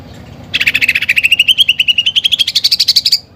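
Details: Greater green leafbird song rich in mimicked fighting-sparrow and woodpecker fillers. After a quiet start, one long, rapid, evenly pulsed trill of about eleven notes a second rises gradually from mid to high pitch.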